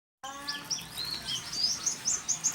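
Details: Warbling white-eye kept in a small cage, singing steadily: a fast run of high, thin twittering notes and short upslurred chirps, rising in pitch and growing busier toward the end.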